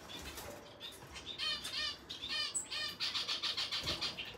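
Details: A male red siskin (Spinus cucullatus) sings a fast, high twittering song of buzzy trills and chirps, several notes a second, with faint wing flutters in the background.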